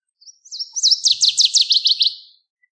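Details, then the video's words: Northern waterthrush singing one full phrase: a high thin introduction, then loud, rhythmic, descending slurred notes that speed up into a rapid chattering finish and trail off. "Northern Waterthrush Song! Call! Sound! Chirp! - Reinita Charquera Canto"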